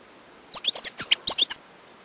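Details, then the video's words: Wild European goldfinch giving a brief burst of about nine sharp, high twittering notes, clean and bright against faint background hiss. "chant chardonneret sauvage/ تغريد حسون نار"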